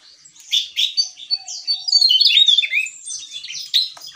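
A Javan tesia sings a rapid, jumbled run of high, sweet chirps and short whistled notes, tumbling over each other for about four seconds. No other sounds intrude.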